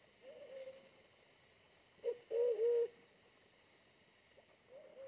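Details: Wild pigeon at a trapping site with a decoy, a bird smaller than the decoy yet very fierce; a faint low coo, then a loud throaty cooing burst midway, and another soft coo at the end.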